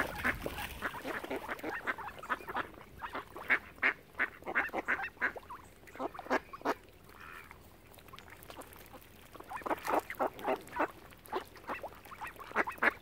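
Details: Ducks on Lough Neagh at Oxford Island, Ireland, surround a family of swans, calling in loud clustered series of harsh quacks separated by brief quieter gaps, with many birds joining in.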